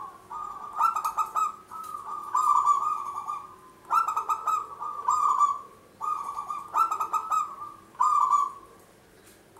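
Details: Local zebra dove, a lively singer whose long song is used as a lure for trapping: mellow, rolling coos in phrases of about a second, opening with quick stuttering notes, repeated every couple of seconds in a quiet setting.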